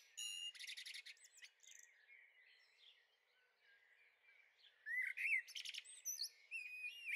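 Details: In a garden on the Veluwe, Netherlands, on 30 April 2014, young blackbirds give rattling high notes and soft warbles, fading into a quiet stretch before a louder run of rising whistles and chatter.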